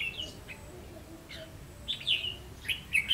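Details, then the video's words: Red-whiskered bulbul used as a decoy, singing to lure wild birds into a trap, recorded 30 May 2016: sparse short whistled notes at first, then a burst of bright, slurred, rising-and-falling phrases toward the end over faint background hiss. "Bẫy chào mào cánh -ché 30/5/2016 p3 mồi ngộ không"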